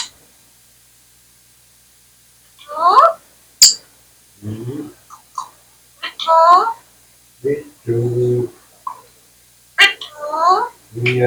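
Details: Talking Indian parrot, a tota or mithu, indoors, mimicking speech: short harsh harmonic phrases with sharp clicks, repeated at irregular intervals, separated by quiet gaps, with some lower voice-like sounds in between.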